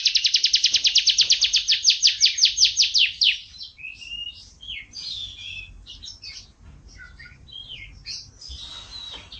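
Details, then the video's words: Canary in champion-style song: a fast rolling trill of evenly repeated high notes lasting about three seconds, then varied warbled and buzzy phrases with short whistles, faint low background hum. "KICAU BURUNG KENARI MASTER SANG JUARA"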